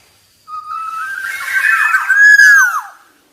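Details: Black-naped oriole gives a single flowing whistled phrase starting with a level tone, building in loudness and ending in a downward-curving slurred note.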